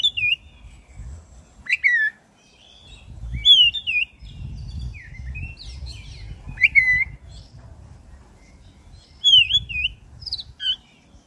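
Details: Oriental magpie-robin of the black-breasted form giving a long, varied song to provoke caged birds into singing; a run of looping whistles, sharp clicks and warbles across several phrases over soft low rumbling.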